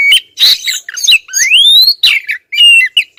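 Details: Female Oriental magpie-robin persistently calling at the male: scratchy chatter leads into a long, smoothly rising whistle, followed by more harsh notes and a steady level whistle.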